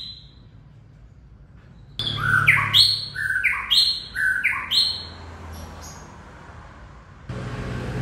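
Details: White-rumped shama singing a lively burst of clear, varied whistled notes that step up and down in quick succession for about three seconds, then fade, over a constant low background rumble.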